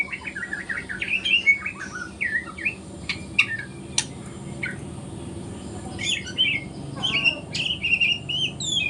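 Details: Speckled juvenile White-rumped shama learning to sing in the morning, giving quick chattering whistled phrases, a pause with a few ticks, then more rapid whistled notes near the end.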